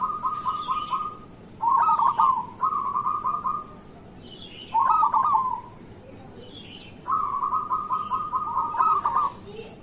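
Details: Zebra dove, local bird, singing as a morning lure for other doves: rolling staccato coo phrases alternating with louder, fuller bursts, about four phrases spread across the stretch.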